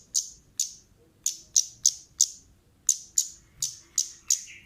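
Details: Female orange-headed thrush lure call, a series of crisp high ticking chips spaced irregularly, some paired, over quiet background.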